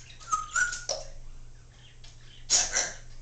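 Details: Congo African grey parrot talking indoors, a female pet whose phrases include "I love you" and "step up": a clear whistled note, then raspy, speech-like syllables and a louder, broad, breathy phrase near the end.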